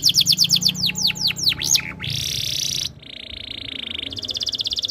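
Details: Canary tutor song meant to make other canaries sing along: quick falling whistled notes in a fast series, then a dense buzzy trill and rapid rattling rolls, over a low steady hum.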